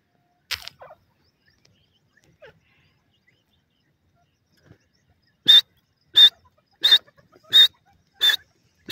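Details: Partridge (teetar) call: after a few faint sounds, six loud, harsh whistled notes follow at a steady pace, roughly one every two-thirds of a second.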